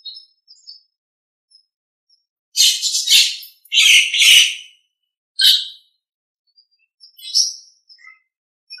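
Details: Nias hill myna on a master recording for training other songbirds: broad harsh squawking bursts in a cluster of about two seconds, a single rasping note, then softer short chirps and whistles amid pauses.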